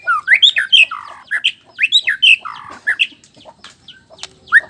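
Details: Male white-rumped shama of the black-tailed Nias type, its song used to stir other males: loud varied whistles and harsh buzzy notes alternating quickly, tapering into softer chips near the end.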